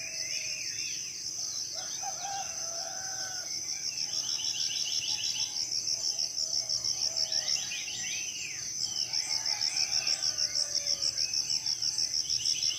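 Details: Tropical forest birds singing at morning in Southeast Sulawesi. Several birds trade fast trills and swooping whistles, with low mellow notes between them. A high, pulsing insect chorus grows louder toward the end.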